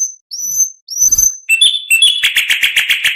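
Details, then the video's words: An oriental magpie-robin sings material meant for tutoring other birds: two high drawn-out whistles followed by fast repeated scratchy chirps at a steady beat. "MASTERAN KACER .MATERI FULL ..awas nanti burung anda ikut gacor.!!"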